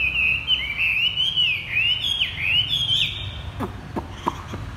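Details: Chinese hwamei in a cage singing the 'thắt cổ chai' style: a continuous high, clear, fluid whistled phrase with quick dips and slides, ending in a few sharp clicks; faint low hum behind.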